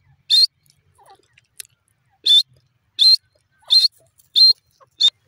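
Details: Dakhni teetar, a francolin, calling in short loud rasping bursts with a bright whistled core, spaced irregularly over five seconds, with a few faint clicks between them.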